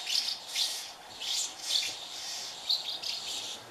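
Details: Hungry House martin chicks in a thirty-nest colony being fed by their parents; scratchy, high-pitched twittering comes in swelling bursts about every half second, with a quieter pause near the end.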